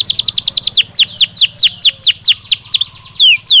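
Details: Belgian canary singing as a training stimulus: a fast run of downward-sweeping notes that gradually slows into wider, spaced slurs and ends with a few varied whistled notes.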